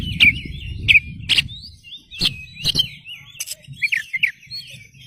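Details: Actively singing oriental magpie-robin, a lure meant to draw replies from other birds: varied high whistled and slurred notes broken by sharp clicking bursts, with faint low murmur beneath.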